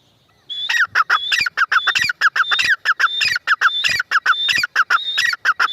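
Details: After a brief quiet start, a grey francolin launches into loud, regular phrases of grating notes mixed with a piercing whistle, repeated roughly twice a second.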